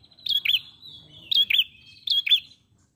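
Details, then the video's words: Ashy prinia (prenjak pala merah) singing actively in a lure recording: three bright, high double notes, each a sharp chip then a downward-curving slur, spaced under a second apart and linked by a thin, buzzy trill, with quiet background. "Prenjak Pala Merah Gacor Mengalun"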